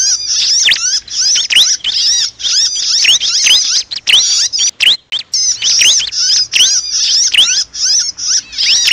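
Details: Bar-winged prinia distress calls, as if caught or pinched, used as a trapping lure: frantic, high-pitched chirps and squeaks pouring out almost nonstop, with only brief breaks.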